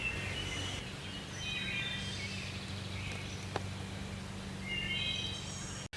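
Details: A wood thrush singing in the woods gives short flutey phrases with thin, high trilled endings every second or two, partly masked by a steady low mechanical hum and background noise.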